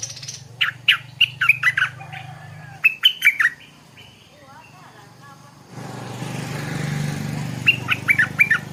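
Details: Stripe-throated bulbul in the morning giving repeated bubbly, chattering phrases, with a low hum and a patch of broad background noise in the later part.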